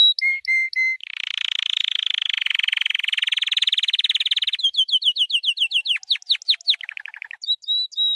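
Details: White canary singing training song: short whistles, a long rasping rolled trill lasting over three seconds, then clipped rising notes, sweeping descending calls and a fast lower trill.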